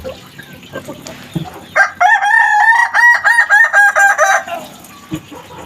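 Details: Kukuak Balenggek cockerel, a Minangkabau crowing breed, in the learning stage of its crow, gives about nine rapid, evenly stepped syllables in a stuttered, multi-part crow. Faint background noise comes before and after.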